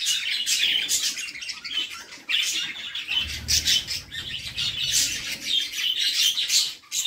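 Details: Budgerigar chicks begging as the mother feeds them in the nest box; continuous scratchy, high chattering pulses with a brief dip midway and faint low rustling underneath.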